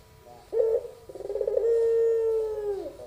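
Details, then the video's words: Young albino Barbary dove giving one pelung-style coo: a short opening note, a brief pause, then a long, steady, low humming tone that slowly fades and drops at the close. "puter pelung suara merdu"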